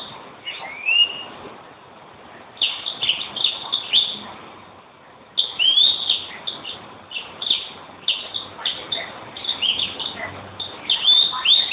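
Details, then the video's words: Lively greenfinch song of chirps, twitters and fast trills, packed densely after a brief pause, with a sliding note near the start. "Green finch"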